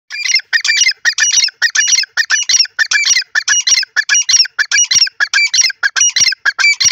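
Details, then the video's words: Caged francolin (teetar) from Khairpur calling: harsh, squawking multi-note phrases repeated steadily about twice a second for the whole stretch, loud and close. "teetar k pinjrai r sound khairpur teetar ki awaz"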